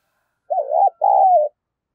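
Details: Spotted dove used as a decoy, calling to lure wild doves: a two-part coo, a quavering stuttered note then a longer, smooth, falling croon, low and mellow, with no other sounds.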